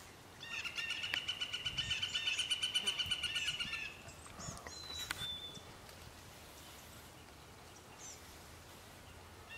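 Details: Northern flicker at Vernon Marsh giving a loud, rapid run of even, repeated notes, about five per second for roughly three and a half seconds, then quiet marsh background with a brief thin high note.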